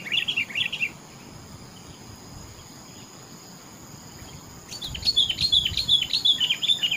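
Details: Sooty-headed bulbul, the kutilang, in rural surroundings: a short bubbly whistled phrase, a pause, then a longer run of quick, liquid, rising and falling notes repeated rapidly, with a steady insect whine underneath.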